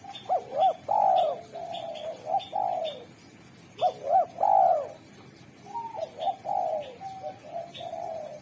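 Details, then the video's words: Spotted dove (derkuku) in full, lively song with a sharp, clear, melodious voice, used to call in wild doves. Three cooing phrases of mellow rolling coos, each ending in a drawn-out downslurred note, separated by short pauses over a faint hiss. "Derkuku super gacor suara tajam, jernih, dan merdu pandai memanggil tekukur alam"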